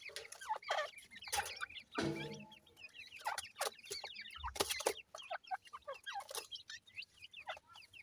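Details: Grey francolin chicks of the Dakhni type, kept in captivity in Multan, Pakistan, give a busy chorus of shrill rising and falling peeps, with a few loud bumps and rustling noises.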